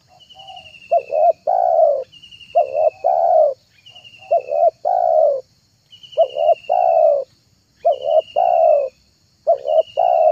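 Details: Spotted dove call for luring doves: a steady series of coo phrases, each two quick short notes then a drawn-out mellow coo, repeated roughly every two seconds, alternating with a faint high, falling whistle.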